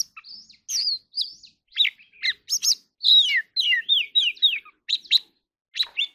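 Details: Oriental magpie-robin (choè than) with a contest-style 'hót đấu' song of separate sharp, downslurred whistles and squeaky phrases, spaced at short, uneven intervals.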